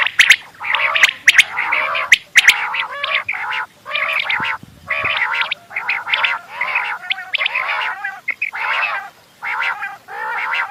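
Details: Quail chatter steadily in the morning in overlapping bursts of bright, squeaky, warbling chirps, with several birds calling at once and a few sharp clicks near the start.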